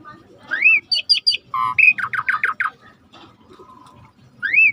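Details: Song of an Asian pied starling, a lure for birds that stop singing: rising whistle, bright chattering notes, a rapid descending series, then a final rising whistle.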